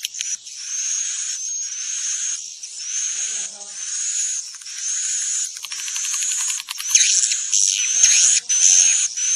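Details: Swiftlet calling used to lure birds to roost in a building: long rasping bursts topped by a high whistle, becoming louder and more crowded with overlapping chirps near the end.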